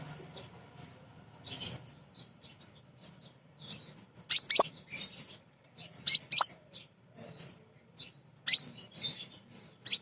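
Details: Female crimson sunbird calling for males, used to lure other birds into singing: sharp, very high chirps and brief twittering bursts in irregular clusters, with quiet gaps and a faint low hum underneath.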